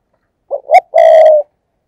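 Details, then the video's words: Thúc gù coo from a decoy spotted dove used to attract wild birds: two short rising hoots then one strong, sustained, gently falling note, loud and clear against silence. "cu gáy, Mồi cây thúc gù chuẩn căng đét"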